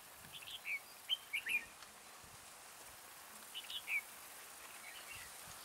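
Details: Red-whiskered bulbul decoy singing to draw wild bulbuls toward a trap. A few brief liquid chirps cluster near the start, then another short chirped phrase follows after a pause, all over a faint hiss.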